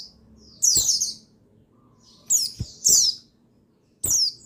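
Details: Male buxtoni white-eye singing, used to stimulate other white-eyes into singing: three bursts of high, thin, descending twittering chirps separated by pauses, with faint low background hum.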